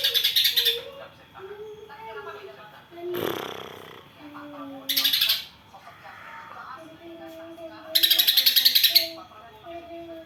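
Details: Greater green leafbird song including tree sparrow imitations. Short bursts of rapid, harsh, pulsed chatter alternate with soft low whistled notes, and a broad noisy rasp sounds midway.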